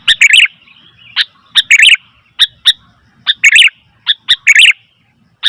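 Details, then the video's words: Sooty-headed bulbul calling noisily: sharp single chirps alternating with short warbled bursts, repeated irregularly over several seconds. "Suara Burung Kutilang ribut"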